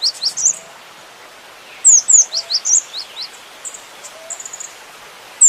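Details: Full varied song of a cinereous tit: clear, high, sharply falling whistled notes strung in quick runs of five or six, then a short buzzy trill, against a quiet hiss.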